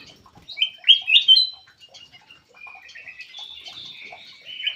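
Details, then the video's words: Lure call of a black-crested bulbul: a few loud whistled slurred notes early on, then a quieter, longer stretch of warbled high phrases that continues to the end. "SUARA PIKAT KUTILANG EMAS"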